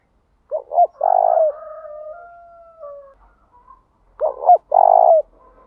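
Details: Spotted dove lure call used to provoke rivals into singing, in the ground-singing style. Two deep cooing phrases: a short double note, then a long rolling coo that slides downward, with quiet gaps between.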